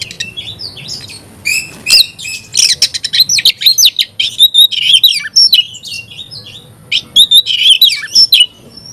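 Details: Oriental magpie-robin pouring out song while another magpie-robin answers: a dense, busy medley of whistles, chips, trills and scratchy notes, about two elements a second, with brief pauses.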